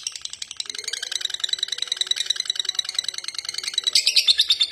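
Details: Lovebird giving ngekek chatter, a dense, rapid run of high, scratchy notes that grows louder and sharper near the end, over a faint low background murmur.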